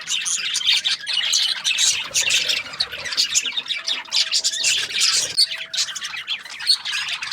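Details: Dense chirping from Australian budgerigars, a constant mix of sharp squeaks and warbled twitters from several birds at once, over a faint steady tone in the background.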